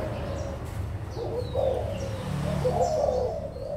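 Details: Adult spotted doves from Malaysia and Thailand on 16 March 2022; muffled cooing notes rise and fall in the middle of the clip against steady low hum and occasional thin high chirps.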